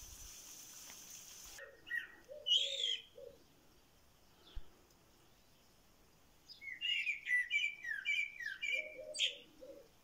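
A songbird sings bright, warbling phrases of quick slurred whistles, with a low hum and a pause between two bursts of song.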